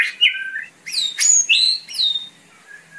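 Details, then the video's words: White-rumped shama, or murai batu, singing for a young bird's training: a varied run of clear whistled slurs, sharp downswept notes and bright rising phrases with brief pauses. "WHITE RUMPED SHAMA CALL"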